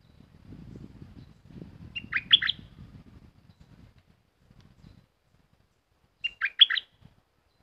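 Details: Caged red-whiskered bulbul repeating the same short, fluty four-note phrase twice, several seconds apart, over a low rustling rumble in the first half.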